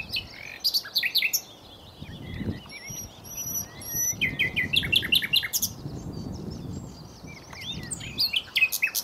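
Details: Common nightingale song: bursts of rapid repeated high chips and clicks, then pure drawn-out whistles held steady around the middle, followed by more fast chattering phrases, with quieter twittering in the background.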